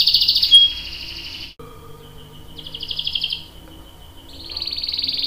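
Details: Canary long-roll song, used as a prompt and tutor for other canaries: loud buzzy trills at the start, a brief pause, then a softer pulsed trill and a steady high rolling trill to finish.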